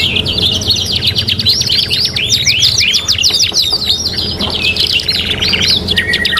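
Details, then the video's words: Canary (kenari gacor) on a 3-in-1 master training recording: continuous fast rolling trills and rapid chips, with brief rising whistled notes woven through, sustained at high pitch throughout. "MASTERAN 3 IN 1 KENARI GACOR | CANARY SINGING"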